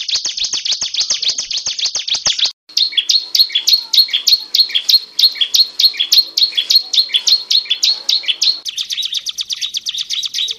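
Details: Ciblek gunung, a prinia, delivering unbroken ngebren song: a rapid high rattle, then a lively series of bright, slurred chirps about two per second, ending in another fast chattering run.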